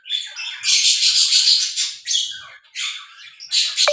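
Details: Mating breeding pair of lovebirds; loud, grating squawks run together into a long burst, then shorter bursts follow, in a small room.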